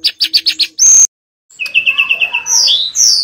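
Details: Mangrove blue flycatcher giving a string of five quick chirps, then a brief harsh burst and a silent gap, followed by a run of evenly spaced whistled notes and high sweeping slurs.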